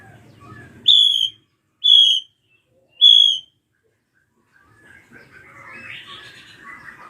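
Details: Ashy drongo, used to provoke young birds into singing: three sharp high ringing whistles about a second apart, then a stretch of quiet rambling chatter.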